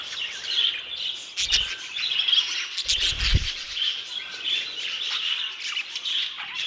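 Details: Many budgerigars kept together in an aviary, chattering steadily in high, busy twitters and short tweets, interrupted twice by low bumping handling sounds.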